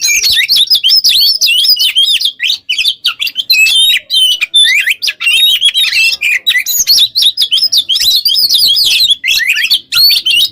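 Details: Oriental magpie-robin in sustained full song, used as a model for other songbirds: fast, dense warbling of curving whistles and sharp chips, loud and nearly continuous throughout.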